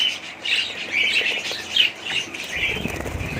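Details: Budgerigars chattering in a steady stream of short warbled chirps and squeaks, with rustling wing flaps and low rumbling noise toward the end.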